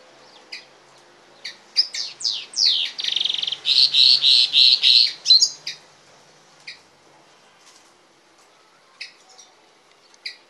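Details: Goldfinch and canary hybrid giving a few scattered high chirps, then a loud phrase of falling sweeps and a rapid rolling trill, then sparse short notes again in a quiet room.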